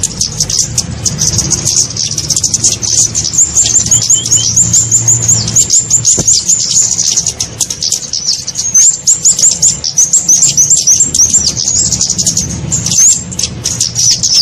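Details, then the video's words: Kemade lure call for trapping small birds: long runs of rapid, thin, high ticking chirps in fast trills, broken by short gaps, with a continuous low hum beneath. "SUARA PIKAT burung kemade"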